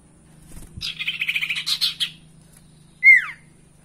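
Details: Spotted owlet sound used as a lure for kept birds: a fast, rhythmic, scratchy chatter lasting over a second, then after a gap one loud, clear, downward-sliding screech, over a steady low hum.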